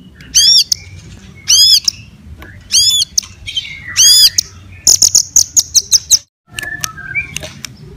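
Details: White-rumped shama fighting song to provoke other birds: four arched, ringing notes about a second apart, then a fast burst of sharp high chips and a few soft whistles.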